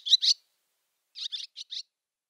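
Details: Barn swallow chatter call: two sharp, high chirps, a pause of about a second, then four quicker scratchy twitters in a row.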